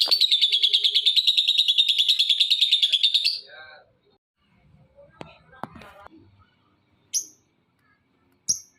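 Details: Lovebird used as a lure to set other lovebirds calling; a dense, buzzy high chatter runs for about three seconds, followed by faint rustling and two brief sharp chirps.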